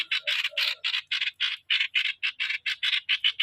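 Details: A decoy streak-eared bulbul delivers 'sor'-style song, a steady string of rasping broadband notes, roughly three to four per second, with a few short low whistles near the start; the background is otherwise quiet.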